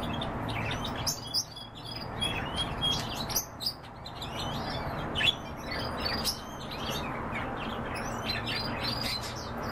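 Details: Pet canaries sing busily: dense runs of sharp high chirps, brief slurred whistles and clicks, several birds overlapping, over a soft low room hum.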